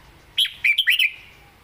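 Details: Red-whiskered bulbul in 'met ka-jik hok' southern song style, a clean phrase of five sharp, sweet whistled notes, each quickly bending up and down, the last trailing off into a thin fading tone.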